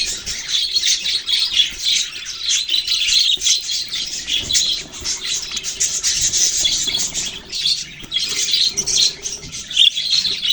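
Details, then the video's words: Budgerigars recorded on November 6, 2023, a group chirping together in dense, continuous warbling chatter with bright, high twittering notes that overlap throughout and barely pause. "Budgies beautiful colours and chirping sounds"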